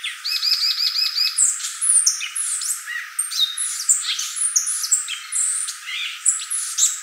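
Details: Violaceous euphonia song opens with a rapid chattering series of repeated high notes, then continues as a dense, varied medley of sharp whistles, chips and twittering phrases.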